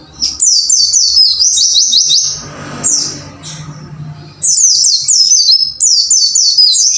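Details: White-eye training song for caged pleci, "wucit wucit" style: dense runs of very high, quickly repeated down-slurred chirps, a quieter stretch of softer notes in the middle, then two more rapid bursts.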